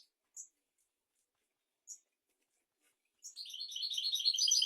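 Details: European goldfinch song for tutoring goldfinches and canaries: two isolated high chirps separated by silence, then a rapid, rising twittered phrase that grows louder to the end.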